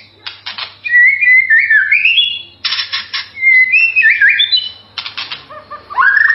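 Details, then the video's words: Melodious white-rumped shama song: rising and falling whistled phrases mixed with loud, harsh, scratchy bursts, in three uneven sections, ending on a rising whistle. "MASTERAN MURAI SUARA MERDU"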